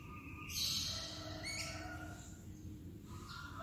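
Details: White-rumped shama heard in an afternoon provocation recording meant to rouse other shamas into agitated singing: bright high whistles and a sharp rising phrase, over lower harmonic notes and a steady background hum.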